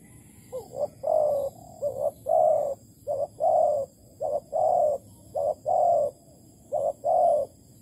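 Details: Spotted dove at a bird trap with bare bait in Malaysia: soft, low cooing in paired phrases, each a short note followed by a longer rolling coo, repeated about six times in steady rhythm.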